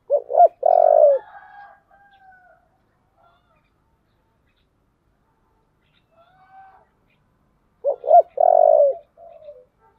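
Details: Spotted dove with a 'giọng thổ' voice cooing intensely to provoke a fight: two short clipped notes, then a long, level, throaty coo, repeated about eight seconds later. Softer, drawn-out coos sound faintly in between.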